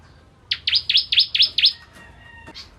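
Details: Bar-winged prinia (ciblek kristal) giving a short energetic phrase for training white-rumped shamas: six strong, high, V-shaped chirps in quick succession, followed by faint thin whistles and a single soft note.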